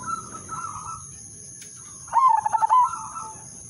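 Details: Zebra dove (perkutut), the udanmas silver bird, singing a melodious lure song meant to set other zebra doves cooing: a soft trill, then a short loud phrase of rapid, pulsed coos. A steady high electronic whine runs throughout.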